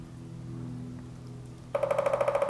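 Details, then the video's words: Male pileated woodpecker drumming at about 5:30 pm on 30 March 2013 along trails at Stony Creek Metropark; one fast, resonant roll of about fifteen even, hollow knocks per second, after a low steady hum. "Pileated Woodpecker (drumming)"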